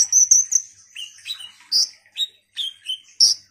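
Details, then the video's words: Ruby-cheeked sunbird (konin, kolibri ninja) in full song: sharp high-pitched chirps alternating with brief downward-slurred notes, delivered in separate bursts about every third of a second, with little background noise. "Pancingan KONIN GACOR INI DIJAMIN bikin KOLIBRI NINJA lain EMOSI Rajin Bunyi"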